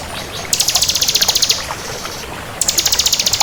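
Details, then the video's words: Crystal bar-winged prinia in full song: two bursts of rapid, high, thin notes, about twenty per second, forming buzzy even trills of roughly one second each, separated by a short pause, over faint low background rumble. "Suara Burung Ciblek Kristal Gacor"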